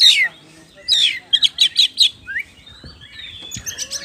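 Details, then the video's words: Oriental magpie-robin song used to provoke other birds: a falling whistle, then a clear rising note followed by a quick series of five identical sharp whistled notes, and softer warbling afterwards. "PANCINGAN KACER GACOR NGOBRA NGOTOT"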